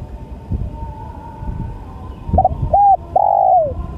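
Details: After some low rumbling noise, a spotted dove begins cooing: a stuttered double note, a short arched coo, and a long coo that slides downward, with a steady faint hum behind.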